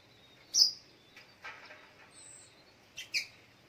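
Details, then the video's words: In the morning, a little spiderhunter gives a sharp high chirp, then scattered softer notes and a thin whistle, ending with a quick double chirp, over low background rustle. "Suara Burung Sogok ontong di pagi hari"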